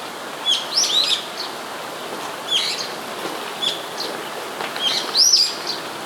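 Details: Brown-eared bulbul in Sumida, Tokyo, on 21 May 2017, calling at fairly close range, captured on a camera's built-in mic: a series of piercing, sharply rising and falling squealed notes, some in quick doublets, with quiet gaps and steady low background hiss.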